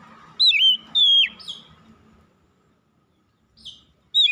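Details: Oriental magpie-robin singing in the morning: loud clear whistled notes, first a rising-falling phrase then a long sliding note dropping at the end, followed by quiet, then another brief whistle; steady faint hum beneath.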